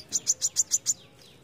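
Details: Besetan song of a brown-throated sunbird: six sharp, very high chips repeated evenly about seven times a second, then a faint thin slurred note at the end.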